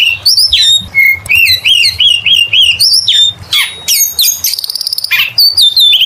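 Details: Oriental magpie-robin pouring out lure song: repeated rising-falling whistled notes in a steady rhythm, then sweeping squeals, a fast buzzy rattle and bright whistled endings.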